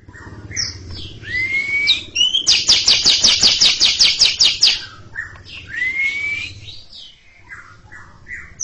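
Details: Greater green leafbird, singing in front of a younger bird, mixes rising whistles and varied notes with a burst of about fourteen quick, buzzy chatter pulses. A faint low hum runs underneath.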